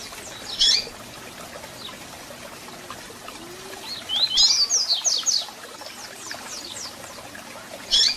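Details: Double-collared seedeater song with sharp calls for stimulating a captive bird: a loud chip, a quiet stretch, then a fast run of high descending whistled notes, ending on another strong chip, with background hiss.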